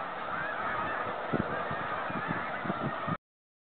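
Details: Snow geese heading home on migration, 2013: a dense, continuous chorus of overlapping nasal honks from many birds, with a few louder honks standing out near the middle and toward the end, ending abruptly.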